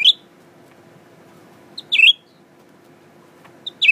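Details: Captive Blue-winged Leafbird, a recently acquired tame male, sings toward a mirror. Loud clipped chirps with a quick warbled twist, each introduced by a soft short note, come roughly every two seconds against a constant background hum.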